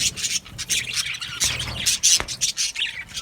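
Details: An aviary colony of budgies singing and chirping, giving continuous, busy high-pitched warbling and squawks in quick overlapping bursts with hardly a pause.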